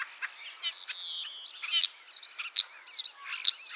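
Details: Common starling with a Lithuanian leg ring, Liepāja, Latvia, arriving 25 March 2023: a buzzy drawn-out wheeze followed by squeaky whistles and quick chattering notes.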